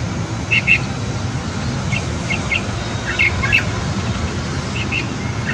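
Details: Light-vented bulbuls feed two nine-day-old chicks at a nest on a balcony. Quick doubled chirps repeat in small clusters every second or so, with bright, clipped notes. A persistent low rumble of traffic sits beneath.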